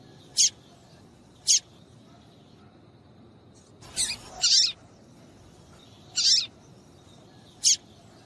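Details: Female papa-capim (Double-collared Seedeater) call for warming males up to sing: six thin, high chips at irregular spacing, with a short crackle of noise near the middle.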